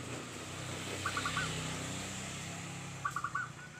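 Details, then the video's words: Zebra dove (perkutut) with a small, tight voice: two brief rolled cooing phrases, about two seconds apart, partly buried under steady broadband noise and rumble. "suara unik kecil sepet rapet dan gacor"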